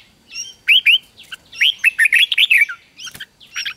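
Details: Red-whiskered bulbul song used to coax young birds into singing: a couple of short whistled notes, then a fast string of about eight bright, bouncing, slurred whistles, ending in softer notes.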